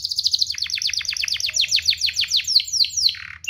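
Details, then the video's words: Canary song for tutoring young birds: a long accelerating series of rapid downward-sweeping chips, about five per second, ending in a lower buzzy slur and a short high whistle. "Suaranya MUDAH DITIRU, Efektif untuk Masteran Kenari Paud dan Pancingan kenari biar gacor"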